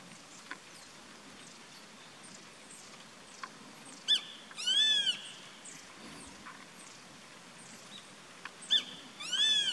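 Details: Grey-faced buzzard calling from atop a tree on 14 April 2019: two two-part calls, each a sharp clipped note followed by a ringing high, downslurred whistle, over light background chirping.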